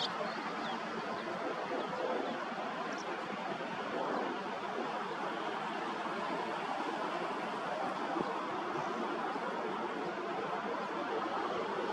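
Only a steady, even rushing noise, like distant traffic or surf, with no clear animal voice.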